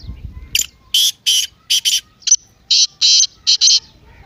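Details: Loud partridge call meant to set a silent partridge calling: a sequence of about nine harsh, rasping, broadband notes, some paired, delivered in a jerky rhythm with short gaps, very little background sound.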